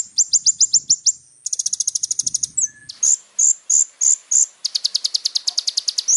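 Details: Little spiderhunter in lively, richly varied song: quick series of high down-slurred notes, a rapid chattering trill, evenly spaced single sharp notes, then another fast burst of chips.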